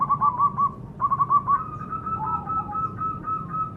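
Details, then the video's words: Zebra dove call used as a lure to get captive birds calling: quick bursts of bubbly, rolling coo notes near one pitch, then a long steady note with softer overlapping coos and a low background rumble. "Pancingan suara perkutut"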